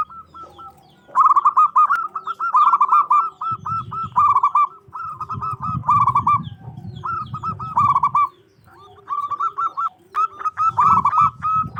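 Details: A local zebra dove (Geopelia striata) sings loud, rapid runs of short, hooked cooing notes in bursts of several seconds over low rumbling noise, a song meant to provoke rival doves into answering.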